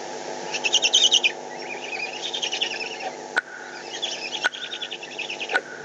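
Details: Eurasian eagle-owls in the Eifel fighting over prey, 21 May 2020: repeated runs of fast, shrill, rattling chatter, loud at first and then fainter, broken by three sharp clicks.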